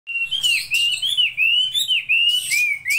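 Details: Laughingthrush singing a continuous whistled song of sliding, wavering notes near one pitch, linked in a steady stream with short bright flourishes between phrases.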